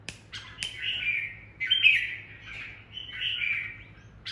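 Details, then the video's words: A fired-up decoy red-whiskered bulbul sings the "ché" style, described as strikingly odd. Several slurred, warbled phrases come with gaps between them, and a few sharp clicks sound at the start and the end. "Chào mào mồi căng đét solo ché | ché cực dị"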